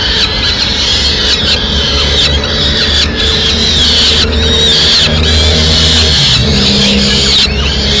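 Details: Peregrine falcons in Madrid on 29 April 2016 as the mother brings food to the chicks: dense, continuous high screeching notes with little pause between them over a constant low hum.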